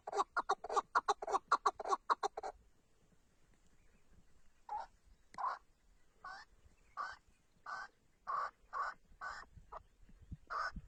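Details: Chukar partridge of the Tatar type calls in a fast burst of rasping chuk notes, then after a short pause gives slower, spaced, drawn-out chuk-ar notes about every half second.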